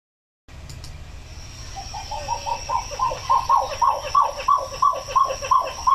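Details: Pied-billed Grebe song in Washington wetland nesting season, with birds on eggs: a steady series of hollow, low, identical notes, about three per second, growing louder and more emphatic.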